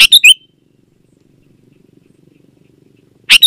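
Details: Sooty-headed bulbul song for training reluctant bulbuls: a quick bubbly phrase of three chirping notes opens, followed by nearly three seconds of quiet, then a sharp note begins another phrase.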